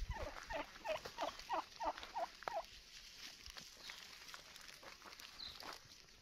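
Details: Wild turkey calling in a short series of about eight rapid, clucking notes over roughly two and a half seconds, then quieter rustling and scattered clicks in the background.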